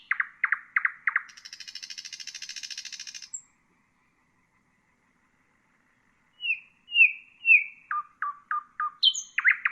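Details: Common nightingale song played to train bulbuls and songbirds: four loud repeated notes, a long buzzy high rattle, a pause, then gliding whistles and a series of short sharp notes.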